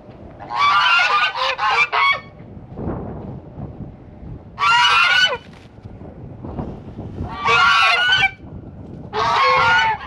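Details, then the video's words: Farm geese that guard the flock and have chased off foxes and a raccoon, honking loudly in harsh, ragged bursts of about one second, four groups spread over ten seconds with rustling background noise between. "Our geese the guardians of the flock"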